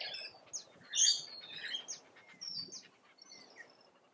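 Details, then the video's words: Rainbow lorikeets feeding in Australia: scattered harsh screeches and short squeaky chirps, with a loud burst near the middle and thin whistled notes between. "RAINBOW #Lorikeets FEEDING"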